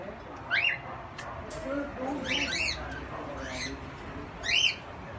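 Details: Indian ringneck parakeet kept in an aviary in Quezon City, giving harsh, arched squawks that rise and fall, a few spaced over five seconds, one loud at the start and one near the end, over a low background hum.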